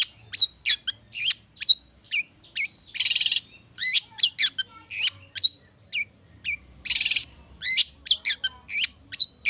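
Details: Long-tailed shrike in agitated lure song with rich fill-in: a steady run of sharp, high downslurred chirps, broken twice by a dense harsh rattling burst.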